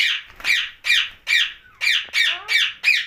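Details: Ringneck parrot calling at night: loud, grating squawks repeated roughly every half second, each a rough downward-bending screech, with faint low room rumble underneath.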